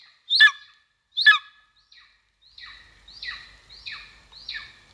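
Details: Two loud, harsh, explosive calls open, followed by softer high squeals sliding downward in a slow series; a golden eagle at its nest in Estonia, 2022, via live stream camera.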